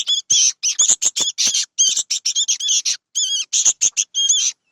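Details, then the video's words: Young sooty-headed bulbuls give a rapid series of shrill, raspy squeaks, tightly packed bursts with warbling tonal bands, broken by short gaps; no other sounds stand out. "anakan burung kutilang"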